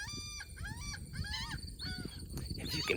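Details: Large flock of Laughing Gulls in a New Jersey coastal salt marsh during fall migration giving their nasal, slurred 'ha-ha' calls, several birds overlapping every half second or so, over a low rumble of wind.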